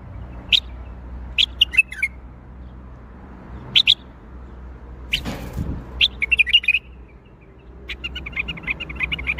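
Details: Bulbul song in the Baghdadi style, opening with scattered sharp chirps, then running into fluttering, warbled phrases that repeat steadily through the last seconds, with a soft low background rumble and one brief broadband knock.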